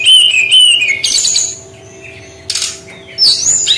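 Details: Brown-chested jungle flycatcher with a unique singing style: clear wavering whistled notes repeated, then buzzy high phrases, a harsh rasping burst, and a final rising whistle.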